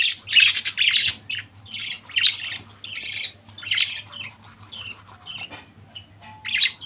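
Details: Pet budgerigar family calling together, rapid buzzy chirps and squawks in irregular bursts, some brief and sharp, others longer and scratchy, over a steady low hum.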